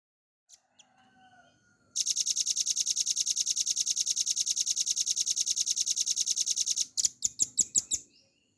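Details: Velvet-fronted nuthatch in lively ngebren song, a master recording for training cage birds: after a few faint opening notes, a loud, fast, clear, high trill of evenly repeated notes runs about five seconds, then several separate sharp notes.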